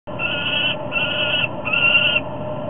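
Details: Falcon at a nest ledge in Topeka, July 15, 2010, 21:47 EDT, one bird keeping its mate out of the nest: three drawn-out harsh wailing notes, each about half a second long, separated by short gaps.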